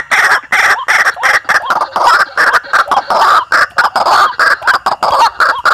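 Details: White-breasted waterhen calls used as a lure in Indonesia: long run of loud, grating croaks in clustered bursts with brief gaps between groups.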